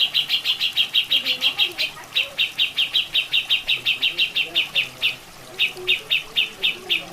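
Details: Grey-cheeked bulbul (cucak jenggot) training recording with water sound: a fast run of sharp, high chip notes, about three per second, pausing briefly near the middle and again toward the end, over steady rushing water.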